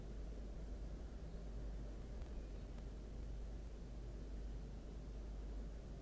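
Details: Only an even, low hissing noise fills the recording, with no calls from any animal.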